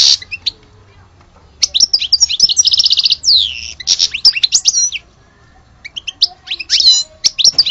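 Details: Goldfinch billed as the genuine bird of Alge sings bursts of quick twittering broken by short pauses, including a rapid buzzy trill of even repeated notes and sharp upward-swept chips.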